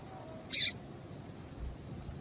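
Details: Female double-collared seedeater call intended to set the male singing: one brief, scratchy high-pitched note followed by quiet background hiss.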